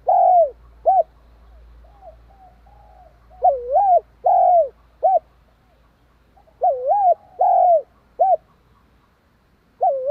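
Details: Spotted dove repeating its provoking coo three times: each phrase is a soft mellow double-humped coo, a fuller drawn-out coo and a short clipped ending, with steady low hum between phrases.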